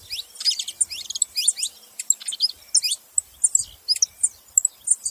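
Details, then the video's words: Saffron finches call noisily in quick clusters of bright, high-pitched chirps and twitters. Short pauses separate the clusters, and a few faint low thumps are heard. "canário da terra fazendo barulho"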